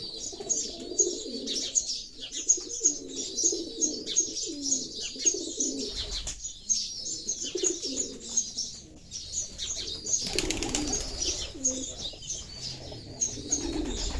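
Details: Pigeons cooing in low, throaty, rolling phrases repeated throughout, mixed with constant high, busy chirping of sparrows; a short burst of broad rustling noise about two-thirds through.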